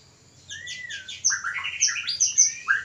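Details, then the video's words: Caged white-rumped shama singing to encourage mating: a long gliding whistle under high notes, then a quick sequence of varied chirps and whistles repeated several times a second. "Pancingan ampuh murai kawin ||Terapi burung murai susah birahi dan kawin."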